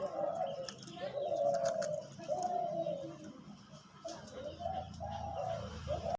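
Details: Decoy dove kept for hunting and sold, producing a rhythmic series of low, hollow coos, some longer and some clipped, amid background hum and rustling.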